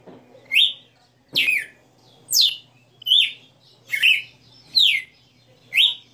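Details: Red-cowled cardinal in captivity performing its many-note song: six crisp whistled phrases, steeply falling or rising, repeated about once a second with quiet pauses.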